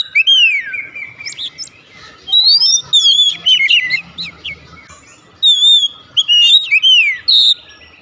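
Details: Oriental magpie-robin giving 'nembak' song: sweeping downslurred whistles, bright rising notes and brief buzzy elements in separate bursts, with quieter gaps between.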